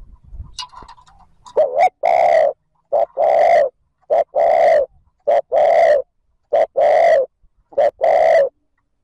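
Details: Spotted dove thúc gù cooing for luring wild doves: after some soft opening sounds, hollow low coos follow steadily, alternating short and long notes, about six phrases in quick regular succession.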